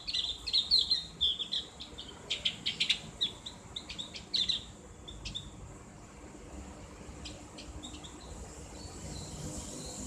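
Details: Javan grey-throated white-eye (cak gentong), ngriwik therapy song in a clear ngeplong voice. Dense high twittering and clicking notes fill the first half, then fade to scattered faint ticks over quiet background hiss.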